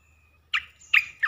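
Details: Olive-winged bulbul song played as a lure for wild birds. Three loud, gurgling whistled notes come about half a second apart, each with a sharp attack and a falling tail, over faint low hum.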